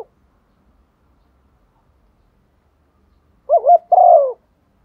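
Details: Female dove calling a male, kept as a decoy: after a long silence, a single short coo phrase of a wobbling double note followed by a fuller, slightly falling hoot near the end.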